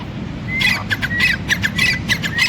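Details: Grey francolin partridge starting up after a quiet moment: raspy chattering notes build into a rapid series of squawks, some paired, over a soft background drone.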